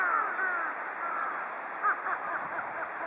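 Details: A group of large-billed crows bathing at length in water give a few hoarse, harsh caws, the loudest near the middle, over steady splashing and a constant high background hum.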